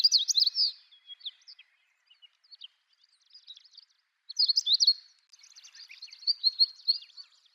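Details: Long-tailed rosefinch singing in early morning at Wakka natural flower garden, Hokkaido, Japan: quick bursts of high twittering, sweet chirped notes, a pause, then another jumbled warbling phrase with trailing rapid chips, quiet background.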